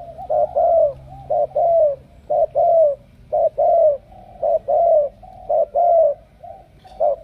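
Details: A Cà Mau spotted dove, chosen as a powerful cooer for a buyer in Hải Dương, repeats paired coos, a short note then a longer falling one, in a fairly regular rhythm.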